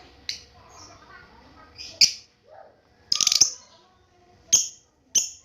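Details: Young lovebird learning to ngekek, a lure meant to make other lovebirds respond: irregular piercing high squeaks and short harsh bursts, separated by quiet gaps and a few faint softer notes.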